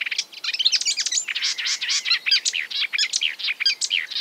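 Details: Marsh warbler imitating other species in a rapid, continuous babble of scratchy chirps, nasal notes and squeaky whistles with almost no gaps.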